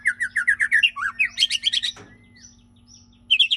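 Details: Lively white-rumped shama (murai batu) song: fast repeated chirping notes in a rhythmic run, then bright whistled phrases, a single click, a drawn-out thin whistle and a renewed burst, with a faint steady hum behind.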